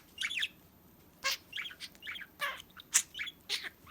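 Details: Chattering pet budgerigar, recorded to help search for a lost bird: rapid bright chirps and short squeaky warbled notes tumbling one after another.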